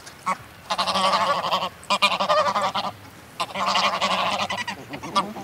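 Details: Greylag geese, a flock recorded close up, giving excitable calls with wing-flaps: overlapping nasal honks in three dense bursts of a second or so each, with scattered single honks between, and a distant mallard mentioned as calling.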